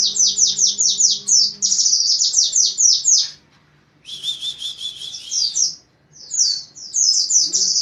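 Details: Oriental white-eye delivering a tight, rapid 'nembak rapat' song: long strings of shrill, evenly spaced down-slurred notes, a buzzy burst midway, then more quick chips after a short silence.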